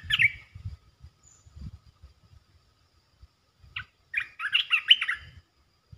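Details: A resident territory-holding red-eyed bulbul calls, coming in to display. A short bubbly note opens the clip, then a single note and a burst of chattering, warbled phrases near the end. Soft low knocking sounds run underneath.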